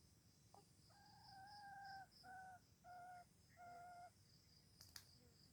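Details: Distant Aceh red junglefowl crow, used as a lure for wild birds: a drawn-out clear tone followed by three shorter tonal pulses over about three seconds. A steady cricket buzz fills the background, with a sharp click near the end.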